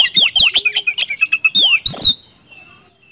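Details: Oriental magpie-robin (kacer) singing in the rapid 'nembak speed roll' style: a fast run of sharp, high whistled notes and downslurred chirps, ending with a longer bright slurred whistle before falling quiet.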